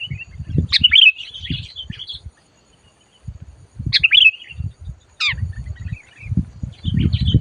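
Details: Sooty-headed bulbul calling while being lured for trapping, the bird described as loud and aggressive: three bursts of sharp, slurred chattering notes spaced a few seconds apart, over low thumping and rustling handling noise.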